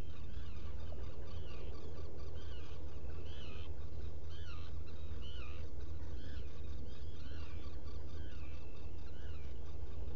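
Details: Black guillemot at a nest burrow on Seal Island NWR, Maine, caught by a burrow camera on 20 June 2018 around 03:43. Thin, wavering whistled notes rise and fall in a loose series over a steady low roar and faint background chatter.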